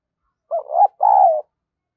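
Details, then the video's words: Spotted dove decoy giving an eager urging coo: a quick rising double note, a brief pause, then a long, full, gently falling hollow tone. Clean and close. "Tiếng Chim Cu Gáy Thúc Và Gù Cực Sung"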